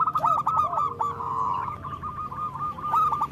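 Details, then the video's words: Zebra dove song offered as a lure for local doves: fast, stuttering cooing notes running together into a dense, slightly rough stream, with a brief lower drawn-out tone in the middle. "Perkutut lokal gacor Suara Besar Pancingan Perkutut Cepat Bunyi Gacor"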